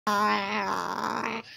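An umbrella cockatoo gives a single drawn-out, nasal, voice-like note, steady at first and then wavering, lasting under a second and a half.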